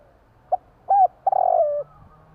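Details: Spotted dove cooing at night in Java: a short hoot, a slightly longer one, then a long rolling, purring coo that fades downward.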